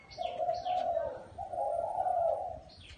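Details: In a small garden, a spotted dove gives two drawn-out, soft, hollow coo phrases almost back to back, while small birds add brief high descending chirps at the start and end.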